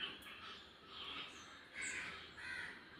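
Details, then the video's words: Crows calling while eating food, harsh caws repeated at uneven intervals, with louder broad bursts near the end of the short stretch. "Crows eating Food making Noise"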